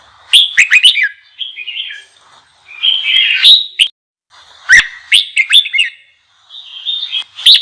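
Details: Red-whiskered bulbul song used to rouse newly caught bulbuls into singing fiercely: bright chirpy phrases of quick rising and falling notes, with short buzzy warbles between bursts and brief pauses, repeated across the recording.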